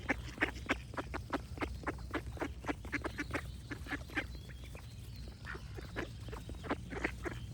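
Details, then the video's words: Ducks quacking in a busy, overlapping chorus, harsh nasal quacks tumbling out several per second with uneven spacing, a steady low rumble underneath. "Cute Ducks Quack Sound Effects with Birds Singing"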